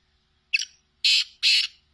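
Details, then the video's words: Sindhi black francolin giving its harsh call: a short, scratchy opening note, then two long, loud, rasping syllables, with a third starting as the sound cuts off. Quiet background. "Kala Teetar ki awaz | Sindhi kala teetar ki awaz"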